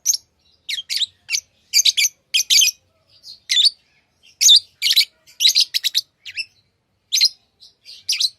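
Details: Lovebirds chattering constantly: rapid, irregular harsh shrill chirps and squeaks, some in quick doubles and triples, with only brief pauses.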